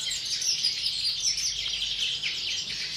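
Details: A caged European greenfinch before breeding season gives quick twittering song, with tinny notes and trills repeated roughly every second in a busy, continuous flow.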